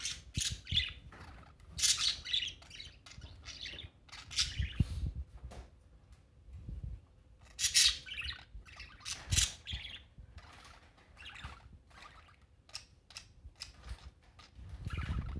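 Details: Budgerigars aggressively regurgitating give scratchy, high chirps and squawks in uneven bursts, with soft low thumps beneath.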